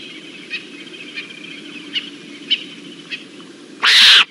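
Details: Lilac-breasted roller recorded on 1 September 2023 at the Naledi Cat-EYE camera, giving one loud, harsh, rasping squawk near the end, preceded by faint, evenly spaced ticking notes over a quiet background hiss.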